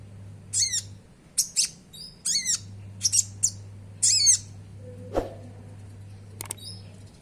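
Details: Oriental magpie-robin gacor song carrying sogon-style filling, played to stimulate caged birds: rapid series of raspy down-slurred notes and high chips, then a brief click and a faint high note, constant low hum behind.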